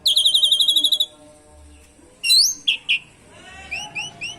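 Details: Asian pied starling song with canary-style content, intended to stir other birds to sing; a fast rippling trill, a pause, then sharp whistled slurs and soft rising notes.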